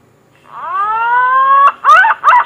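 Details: Green pigeon call used as a lure for trapping and hunting: a long, clear, rising whistle with rich overtones that levels off and holds for about a second, then two short, looping, warbled notes.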